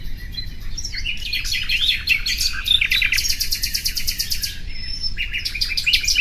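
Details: Common nightingale: jumbled, varied chirps building into a long, rapid rattling trill of evenly repeated notes, then a quieter close, over a steady low background rumble.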